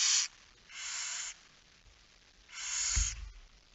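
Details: Barn owl at the nest during a night feeding on 10 September 2019, 22:45. Softer rasping hisses, three in all, are heard over a low, rumbling knock near the end.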